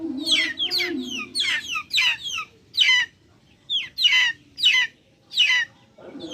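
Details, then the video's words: Backyard chickens making noise: loud bursts of shrill, downward-sliding peeps in quick clusters, separated by short silent gaps, with a brief low wavering note at the start and end. "Backyard chickens making noise"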